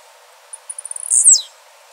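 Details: Blue-black grassquit in the wild giving one song phrase: a few faint high ticks speed up into a rapid series, then burst into a loud, very high buzzy note that slides sharply downward.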